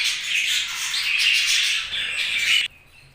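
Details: Budgerigars chattering in a steady, scratchy warble with a few thin whistled notes, cutting off abruptly near the end to near silence.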